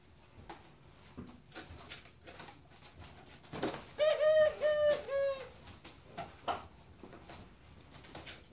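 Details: Dove cooing: a short run of three mid-pitched hooting notes with a buzzy, harmonic-rich edge, starting about halfway through and lasting roughly a second and a half, amid scattered clicks and knocks.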